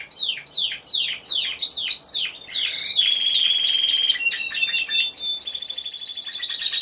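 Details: Timbrado Español canary in an individual-class singing competition, November 2015; rapid series of falling whistled notes gives way to a sustained rolling trill, then a higher bright trill near the end.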